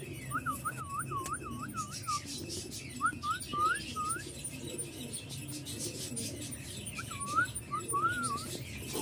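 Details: Young male parblue opaline lovebirds in an aviary give a fast burst of looped chirps, short groups of rising notes, then a quiet stretch before two final chirps, with hum and bird chatter behind.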